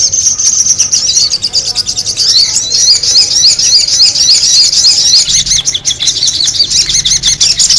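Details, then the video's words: Sogon bird chattering as a lure. A long stream of high, squeaky, warbling twitters rolls on without break, with a faint low hum joining in toward the end. "the sound of the noisy sogon bird lure"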